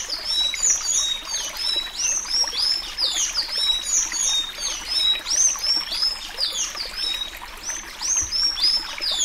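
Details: Sayaca tanager song in the Suí Suí Alagoano style, used for training young birds: dense run of high, squeaky, slurred whistles and chips, rising and falling rapidly, overlapping one another with a soft trickling background.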